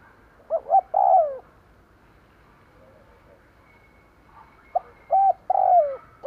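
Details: Decoy spotted dove cooing to lure wild birds: a full phrase of two short coos and a long falling croo, then after a pause a looser run of short coos ending in another falling croo.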